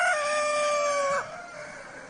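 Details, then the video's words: End of a rooster's crow: a strained, steady harmonic note held for about a second, then a quick downward slide into quiet background noise. "Rooster Crowing"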